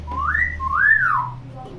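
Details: Common hill myna, a tame pet praised for mimicking many sounds: a short upward whistle followed by a longer arching whistle that slides down at the end.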